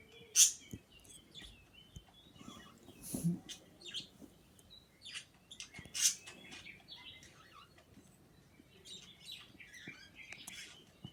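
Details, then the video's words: Pair of pet birds chirping and making kissing sounds: scattered sharp high chirps and brief squeaky notes at uneven intervals, with a few louder smacking clicks over a quiet background. "making kissing sounds and chirping"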